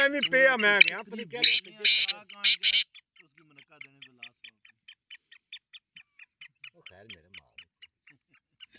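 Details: Teetar, the grey francolin, in a muqabla recording: a man speaks loudly at first, then the bird's short high notes carry on in a quick, fairly regular string, with a brief low voice near the end.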